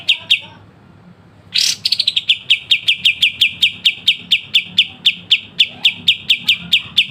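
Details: Pied triller (kapas tembak) song with sharp 'besetan' trilling, used as tutor material for songbirds: two clear notes, a pause, then a sudden burst into a fast, even run of sharp, high repeated notes about four per second. Faint low background hum.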